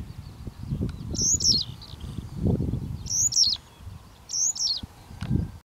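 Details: An adult male western yellow wagtail sings from a perch in a purple tulip field in the Netherlands, giving short, high, scratchy phrases, three in under six seconds, over low wind rumble.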